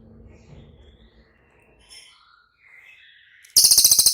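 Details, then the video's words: Cililin, recorded for training caged birds to respond: quiet, low background and faint thin whistles lead into a sudden piercing, buzzy trill of quick repeated pulses. "SUARA CILILIN DIJAMIN CEPAT RESPON"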